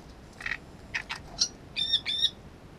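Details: Great reed warbler, in unedited wildlife footage, delivers a rapid phrase: several rough, rasping notes followed by two clear, ringing, harmonic-rich whistled notes, against quiet background hiss.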